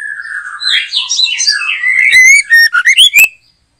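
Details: White-rumped shama, caught in a backyard, sings a long rambling warble of sliding whistles, then a loud run of ringing rising notes and sharp clicks before stopping.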